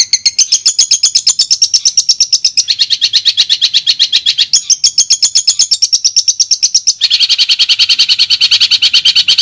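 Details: Long-tailed shrike recording aimed at reviving a shrike's song: a continuous fast buzzing trill of rapid pulses, shifting in pitch and changing to a lower rattle near the end.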